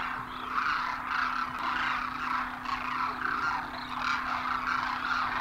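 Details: Flock of Demoiselle cranes, known locally as Koonj, arriving on winter migration at a water hole in Khichan village, Rajasthan; continuous mass of overlapping throaty calls with a constant low drone beneath.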